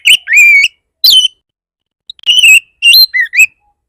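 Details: Oriental magpie-robin lure song intended to make other magpie-robins start singing. Scattered loud whistles include a slurred downward note and a sharp higher note. Brief gaps separate short twisting phrases.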